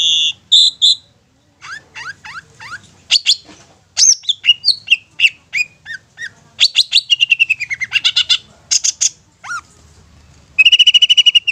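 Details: Long-tailed shrike, 'satu titik nagen tegak' song for luring young or wild shrikes: varied medley of rising whistled slurs, sharp chips, rapid trills and downslurred notes, closing with a fast rattling trill.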